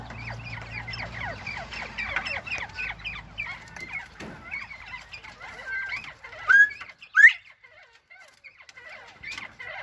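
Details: Northern bobwhite quail chattering: a dense, busy run of short chirps and soft clucks, with a few louder rising whistled notes in the last seconds and a low hum at the start.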